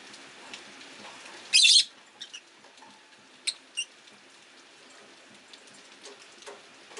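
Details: Rosy-faced lovebirds, five caged birds by a window on a rainy day, an orange-faced bird jostling for perch position; one loud harsh chirp burst, then a few short sharp chirps over faint background hiss.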